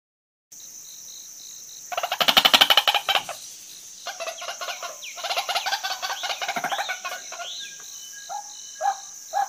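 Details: Female white-breasted waterhen call, used as a lure that draws waterhens in quickly. Loud, rapid pulsed chattering and croaks come in uneven bursts over a steady high-pitched background hum, with a few scattered notes near the end.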